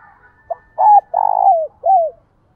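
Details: Spotted dove decoy calling in the 'giọng thổ' style: one phrase made of a short clipped note, a level hoot, a long vibrating coo sliding down, then a falling closing coo, with nothing else heard.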